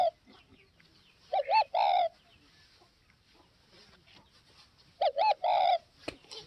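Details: Spotted dove from Northwest Vietnam cooing: two separate phrases, each two short hollow notes followed by a longer, throaty, slightly rolling coo, with a few seconds of quiet between them.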